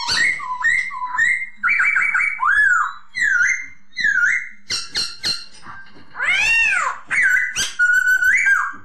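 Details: ['Masked laughingthrush singing a varied run of loud whistled phrases: rising and falling slurs, quick clipped notes and an arched sweeping whistle, delivered in short bursts almost without pause.']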